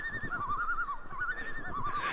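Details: Common loons heard in the evening from a lakeside campsite in the Northern Idaho–Montana area, giving a wavering, quavering call that rises and falls for about two seconds, over an old dog's low snorting and rustling.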